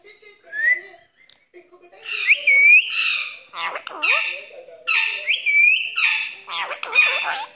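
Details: Talking green rose-ringed parakeet kept as a pet, wanting to play: a rising whistle, then loud harsh squawks mixed with rapid speech-like chatter and whistled slurs, indoors.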